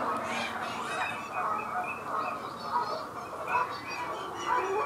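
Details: Two Canada geese (Branta canadensis) at 07:30 on 23 February 2019, NSG Disselmersch, Lippborg, give a steady run of nasal, overlapping honks and gabbling notes, several calls each second, with soft background murmur.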